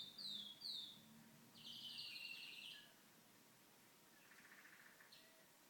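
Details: Pet canary singing at home with TV on; quick downslurred high notes, a loud dense buzzy trill, then a softer fading rolled trill, with faint low background murmur early on.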